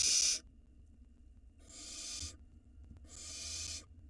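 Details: Harsh, noisy hissing screeches from a barn owl nestling reaching the nest entrance, recorded on a live nest camera in Israel in 2022. Three rasping bursts, each under a second, with silent gaps of about a second.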